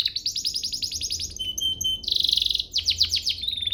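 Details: Canary master song: a quick run of repeated chirps, short high whistles, a dense buzzy rolling trill, then swept notes and a rising whistle.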